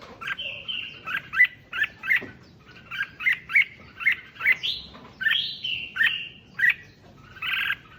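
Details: Red-whiskered bulbul song used to rouse other bulbuls: a dense, rhythmic series of loud chirped notes, roughly three per second, broken by a few longer buzzy whistled phrases.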